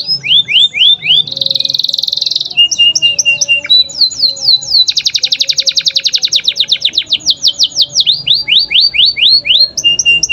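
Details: Energetic canary singing a long rolling song meant to coach young canaries into regular singing. Rising sweeps, a harsh buzzy burst, then rapid even trills of repeated notes and more looping whistled phrases.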